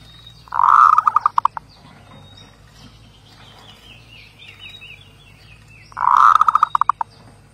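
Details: Zebra dove song: two bursts of soft, rapid staccato cooing notes that quicken into a short pulsed run, about five seconds apart, with faint higher bird chatter in between.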